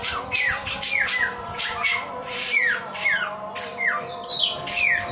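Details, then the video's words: A male samyong sings a string of bright, falling whistled phrases about every half second to one second, with a faint steady tonal hum underneath. "SUARA BURUNG SAMYONG GACOR"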